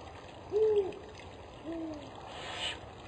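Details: Spotted eagle-owl mate singing while food, apparently a bird, is delivered: one strong low hoot, then a quieter, lower answering hoot about a second later, over steady background hiss.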